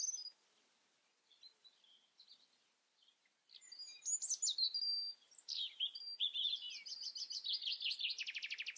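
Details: After quiet soft notes, a European robin breaks into an intense phrase of piercing high whistles and jumbled warbles, ending in a rapid dry trill of evenly repeated notes.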